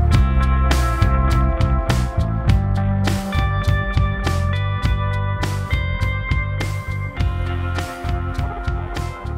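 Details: Loud plucked guitar music with strummed chords plays throughout, with no animal voice to be heard.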